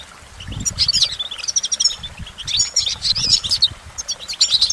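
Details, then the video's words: Goldfinch song in clustered bursts of high twittering and short trills, broken by brief pauses, over a faint low rumble. "Goldfinch Motivation Performance"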